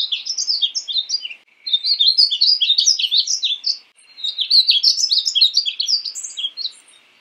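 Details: Painted bunting (Passerina ciris) producing lively, high-pitched warbled song in three phrases of rapid, jumbled chirping notes, each phrase about one and a half to two seconds long, with no background.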